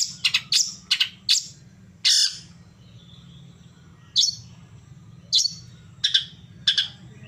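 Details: Long-tailed shrike sounds used morning, noon and evening to prompt a caged bird to answer: sharp, high, clipped notes, first in a quick cluster, then single strokes spaced about a second apart, over a steady low hum.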